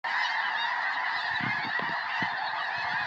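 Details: Hundreds of snow geese circling and landing in a field beside a house in Tennessee on 21 January 2026, days before a predicted major snowstorm; a dense, unbroken chorus of overlapping honks, with faint low thumps.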